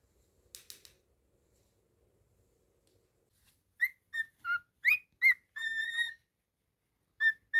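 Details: Pet cockatiel whistling a tune after a few soft clicks: short clear notes and rising swoops leading to a sustained even whistle, then two more brief notes.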